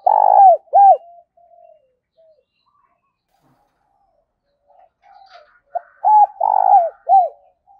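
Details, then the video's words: A lure spotted dove of the 'giọng thổ' type gives two low cooing phrases separated by quiet soft notes. Each phrase has a short note, level coos, a long rough coo and a falling final coo. "tiếng chim cu gáy mồi gáy gọi. tieng cu gay kich boi nhanh noi"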